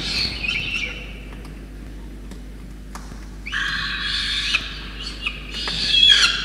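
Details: Peregrine falcon chick in Orange, New South Wales, Australia, on 5 November 2021, being fed a soaked starling by wet parents. Brief rasping cries at the start, a quiet stretch with faint clicks, then loud drawn-out grating screeches.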